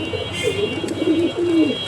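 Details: Deshi high-flyer pigeon of an old native bloodline cooing: soft, low, drawn-out rolling coos, repeated three or four times, with a faint steady high tone in the background.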